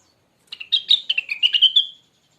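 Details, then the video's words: Original Rengganis bird sound recorded as song training material: a single rapid run of sharp, warbling chirps that rises and falls, then trails off in a fading thin whistle. "suara burung Rengganis bahan"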